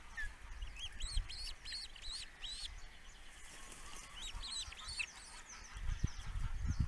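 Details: Osprey father attending the nest on a Dutch webcam: bursts of high, slurred whistled chirps repeated quickly, a pause, then another short run, with low thumps and rustling at the nest.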